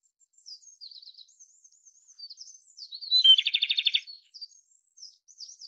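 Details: Japanese robin (Erithacus akahige) song: thin high twittering notes lead into a loud, fast, rattling trill lasting under a second, followed again by soft high chips.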